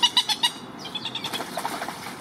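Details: Moorhen guarding its young and territory gives four quick, clipped, clicking notes in half a second. Softer chirps from other small birds follow, over a low, steady background.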